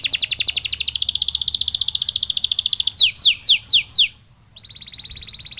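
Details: Canary after molting delivering a long, steady rolling trill of rapid pulses for three seconds, then four quick descending whistles, a brief pause, and another thinner rolling trill.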